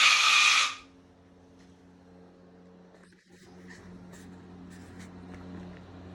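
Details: A pet cockatoo named Kiwi gives one harsh, loud screech lasting under a second when mad, then falls silent; a low indoor hum and faint rustling follow.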